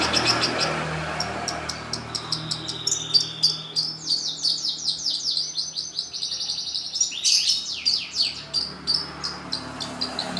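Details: National champion long-tailed shrike singing for use as a lure for other birds: a dense, scratchy stream of rapid chips and trills, with a longer buzzy phrase midway, over steady background hiss.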